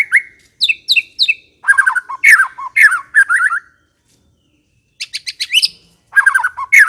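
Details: Loud song of a white-rumped shama (murai batu): quick clusters of slurred whistles and sharp chattering notes in short bursts, a brief pause, then more rapid varied phrases.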